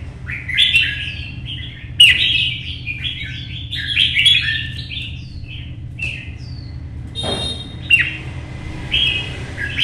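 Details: Red-whiskered bulbul in a cage, a contest singer from Vietnam, singing in early sun as it moves between perches: lively runs of warbled, downward-slurred notes, a brief pause, a rattling burst, then softer closing phrases, with faint room hum.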